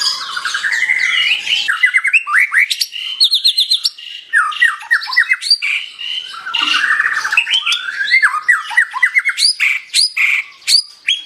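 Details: White-rumped shama singing vigorously, with loud, varied phrases of sharp chips, quick rising slurs and short trills packed closely together, sometimes broken by brief pauses.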